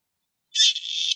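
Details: Grey partridge calling in the wild in Greece: a single harsh, grating rasp lasting about half a second, starting loud and trailing into a slightly weaker scratchy section.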